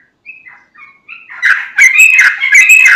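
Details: Energetic yellow-vented bulbul song, meant as a lure to prompt untrained and flock bulbuls to reply; soft thin notes build into loud, rich, bubbling warbled chatter.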